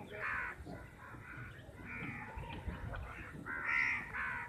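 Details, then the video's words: Flock of crows fighting over a chapati; harsh overlapping caws rise and fall, with a louder burst of cawing near the end. "crows sound"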